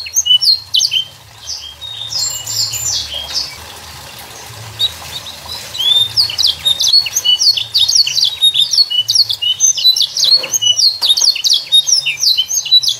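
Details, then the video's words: Young canary singing to coax juvenile canaries into song: scattered high chirps, then after a quieter stretch a fast continuous run of bright slurred notes and trills over steady background noise. "RANGSANG BIRAHI DAN ISI VARIASI LAGU KENARI PAUD CEPAT GACOR ISIAN MEWAH"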